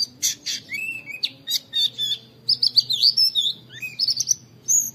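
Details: Training recording of an oriental white-eye giving 'wit wit' calls to coax others into singing. A busy, high-pitched twittering of short chirps and wavering notes is broken by brief gaps, with a low background hum.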